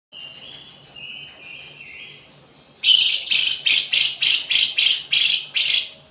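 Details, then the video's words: Lovebird singing in the imitative cucak jenggot style: soft sliding whistles for three seconds, then a loud burst of about eight harsh, buzzy chips in quick rhythmic succession. "love bird rasa cucak jenggot"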